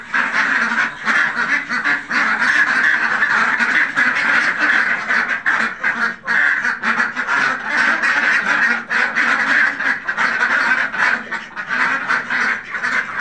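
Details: Farmed Khaki Campbell ducks, many birds calling at once: a steady wall of raspy, nasal quacks with no pauses, rising and falling slightly in loudness.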